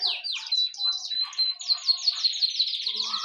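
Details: Pet bird delivering a rapid series of high descending chirps, about six per second, continuing steadily throughout.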